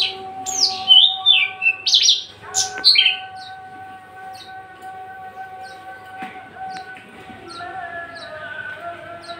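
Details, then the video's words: Tame, aggressive caged male Javan bush lark, said to be ready for breeding and in full song. Loud high chirps and downslurred notes cluster in the first three seconds, followed by faint ticking notes over continuous background hum. "branjangan javanica MH nonring jinak galak siap jadi pejantan gacor dor"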